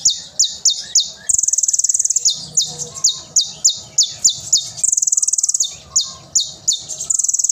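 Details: A kolibri ninja pours out loud, sharp song used to tutor young green-phase birds: bursts of rapid buzzy trills alternating with strings of high, steeply descending whistles.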